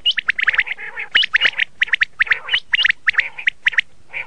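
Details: Red-shade common quail, known locally as laal batir, giving rapid bursts of sharp, upward-flicked chirps mixed with short harsh squawks, several notes per second in uneven clusters.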